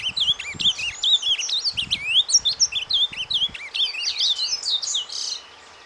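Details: Ultramarine grosbeak delivering surdina, a soft song for warming up breeding birds: rapid tumbling whistled slurs and chirps for about five seconds, ending in a short buzzy note, with soft low bumps behind.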